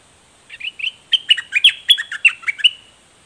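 A Straw-headed Bulbul sings a quick bubbling run of a dozen clear, slurred whistled notes, rising and falling over about two seconds, against a faint steady hiss.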